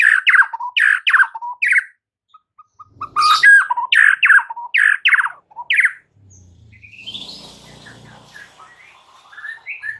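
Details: White-rumped shama master song used to stir mute birds into singing and fighting mood: loud, harsh, downward-slurred notes in quick bursts, a pause with soft low piping, another run, then faint scratchy rustling.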